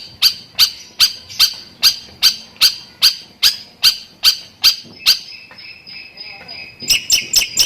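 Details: Long-tailed shrike in 'tembakan' style with lovebird material: a very regular series of loud sharp chips, about two and a half per second, then a sustained thin whistle and a final few quick chips.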